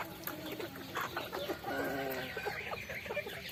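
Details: A flock of farmed chickens feeding on rice keeps up a dense, continuous chatter of clucks and drawn-out murmuring notes, several birds calling at once.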